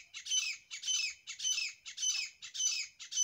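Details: Grey francolin pair, harsh strident phrases in quick regular succession, about two every second. Each burst is loud and grating and they run continuously through the clip.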